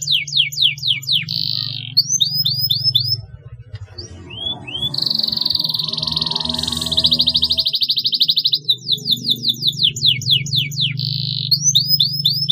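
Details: Canary song used to stimulate young canaries to chirp: repeated downward-sweeping whistles, short up-slurred notes and long dense buzzy trills, a noisier rattling passage midway, low steady hum throughout.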